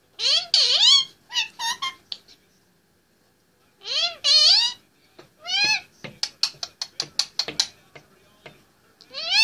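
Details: Indian ringneck parakeet, an 18-month-old male, talking and singing on top of his play stand indoors: bursts of human-like words with rising and falling inflection, separated by short pauses, then a quick run of clipped sharp syllables.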